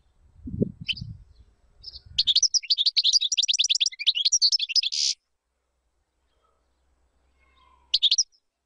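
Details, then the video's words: European goldfinch, song to teach chicks: low thuds at first, then a rapid three-second twittering phrase ending in a buzzy rasp, silence, and a brief final note burst. "تغريد طائر الحسون بدون أخطاء لتعليم الفراخ"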